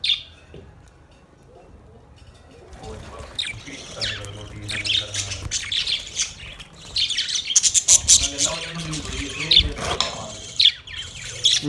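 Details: A caged flock of budgies in a master cage: near silence for about three seconds, then rising chatter of high chirps, buzzy warbles and sharp squeaks that grows louder and denser.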